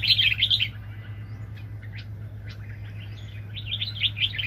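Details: Very aggressive red-whiskered bulbul decoy at a 2020 bird trap: a loud burst of rapid warbled whistles, a quieter stretch of scattered softer notes, then another fast warbling burst, over a steady low hum.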